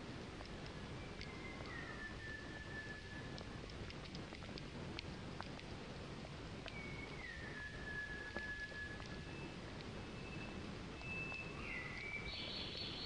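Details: Striated laughingthrush (Garrulax striatus) calling at Okhrey, Sikkim, India, in May 2018: drawn-out whistles sliding downward, two phrases several seconds apart and a higher note near the end, over a steady rain-like hiss.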